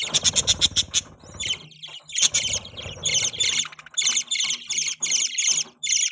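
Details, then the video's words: Pet budgies produce a rapid train of clipped chirps that shifts into denser buzzy squawking, over low rumbling background noise in the first half. "Budgies Chirping Sound"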